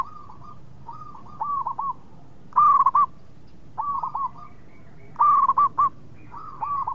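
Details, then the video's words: Local zebra dove singing as a lure to provoke quick replies from rival birds; phrases of two or three hooked cooing notes alternate with louder rolling coos, roughly every second and a half. "PERKUTUT LOKAL GACOR BIANGANYA PANCINGAN LAWAN CEPAT NYAUT"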